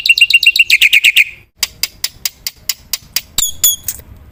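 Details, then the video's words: Black-winged myna singing with fill-in phrases. A quick series of bright chirps gives way to sharp, spaced clicks about every quarter second, then a few high, ringing whistled notes. "suara burung jalak putih gacor full isian"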